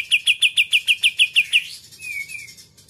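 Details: Greater green leafbird singing in the muntah isian kapas tembak putar style, meant to rouse rival birds: about ten sharp, bright chirped notes repeated rapidly, roughly six per second, then two softer downslurred whistles.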